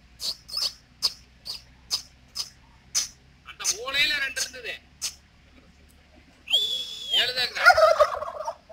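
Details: Male turkeys displaying to females in a mating dance; a series of short sharp clicking notes roughly every half second, then a rattling burble and a loud gobble near the end.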